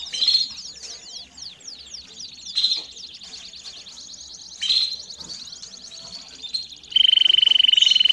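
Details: Domestic canary song meant to train young birds. A quick, fairly soft high trill is punctuated by three louder buzzy bursts, ending in a loud, steady, rapidly pulsed high roll.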